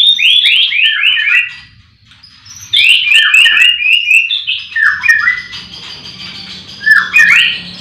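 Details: Caged white-rumped shamas singing together at a breeding farm in the morning: a rapid falling run of slurred whistled notes, a brief pause, then further cascading runs and sharp chips.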